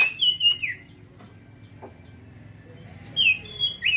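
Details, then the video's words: Oriental magpie-robin, ngeriwik song: a sliding whistled phrase at the start, a long near-silent gap, then two more whistled phrases ending in downward slurs. "kacer ngeriwik"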